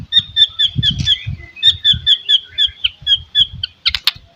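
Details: White-rumped shama lure song to rouse rivals: a quick string of short, high, sharp notes repeated steadily, with soft low knocking underneath and a burst of harsher notes near the end.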